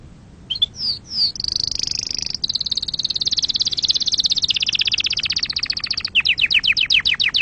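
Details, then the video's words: A canary sings a few rising chirps, then a long high, fast trill that steps down into a slower pulsed roll. It closes with a run of sharp descending slurred notes repeated quickly. "تغريد عصافير كناري"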